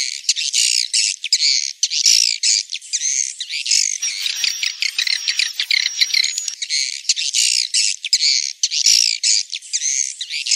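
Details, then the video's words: Swiftlet call recording (sound used to call swiftlets) with wing-flapping: dense, harsh, buzzy chirps, rapid and overlapping, with a thinner, higher twittering passage midway. "Suara panggil walet || kepakan sayap"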